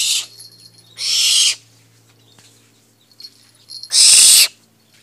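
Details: Pet barn owl kept at home gives three harsh, hissing screeches. Each lasts about half a second, with pauses between them. A low steady hum runs underneath.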